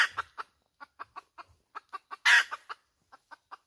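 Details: A hen gives short staccato clucks at irregular spacing, one loud harsh squawk in the middle, then a few trailing clucks; a faint low thump is also heard.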